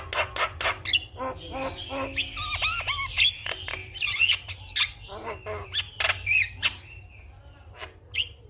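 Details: Javan myna in morning song that stimulates other mynas to sing: a long, varied medley of clicks, rattling buzzes and whistled twists, fading into sparser notes toward the end.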